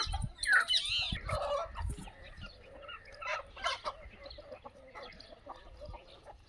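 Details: Aseel chickens at a free-range desi poultry farm in India. A sharp, harsh squawk opens the recording, followed by rapid uneven clucking and cackling that fades toward the end.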